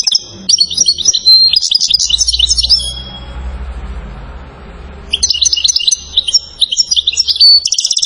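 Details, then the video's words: European goldfinch, Settat in Morocco, salasiyat song type: dense liquid twittering with quick trills, a two-second lull with low background hum, then another vigorous burst of tinkling, chattering notes. "جديد تسجيل ناذر لقب بملك السوافج اعظم ما انتجت الطبيعة في التغريد جدر محسن من سطات ملك السلاسيات"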